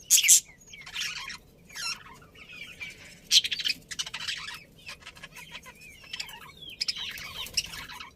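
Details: Colony of happy budgerigars giving overlapping chirps and wavering warbled notes in irregular bursts, with brief louder sharp calls at the start and middle.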